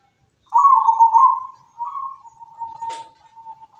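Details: Local zebra dove in full song, a loud rolling, trilled coo held for a second, then softer level cooing notes trailing on steadily with a short click partway.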